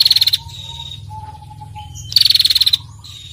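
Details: Female bar-winged prinia ngetir call, meant to get other birds calling: a trill ending at the start, then a quiet gap with soft descending whistles, then another rapid, rattling pulsed burst.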